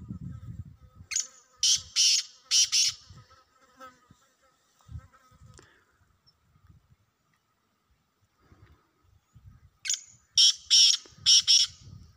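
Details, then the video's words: Wild black francolin calling: a phrase of four harsh, rasping, buzzy notes in quick succession, then a long pause before a second, similar phrase of five notes. Soft low rumbling and faint knocks sound in between. "جنگلی کالے تیتروں کی آوازیں"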